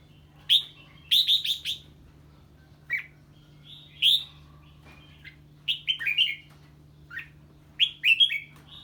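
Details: A red-whiskered bulbul sings 'ché' on hearing an unfamiliar bird. Crisp, ringing groups of three to four quick warbled notes repeat every one to two seconds, with single chirps between, over a constant low hum.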